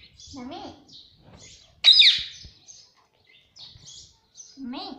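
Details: A pet Indian ringneck parrot gives short, low, wavering voice-like notes at the start and end, with a sharp, loud squeaky burst near the middle and quiet pauses between.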